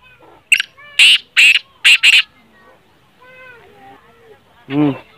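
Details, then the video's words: Black francolin call used to set a quiet captive bird calling: four or five loud, raspy, scratchy notes in a quick series, followed by soft voices and a short nasal quack-like sound. "kala teetar ki Awaz|تیتر بولائی نہیں کرتا یہ آواز سنائیں بولنا شروع کر دے گا"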